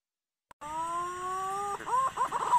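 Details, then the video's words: Green pigeon call played as a trapping lure for use at the nest: steady whistled tones lasting about a second, then quick wavering, warbling whistles around a mid pitch. "pikat burung punai"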